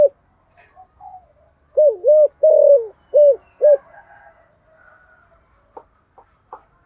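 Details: Spotted dove, thổ-voice lure bird, giving its daily call: a tight run of five low, rounded coos with a longer falling middle note, followed by faint chirps and clicks.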